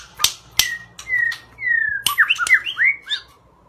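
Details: White-rumped shama singing: sharp snapping clicks, then clear, slightly falling whistled notes, ending in a quick run of looping, warbled phrases. A faint low hum runs underneath.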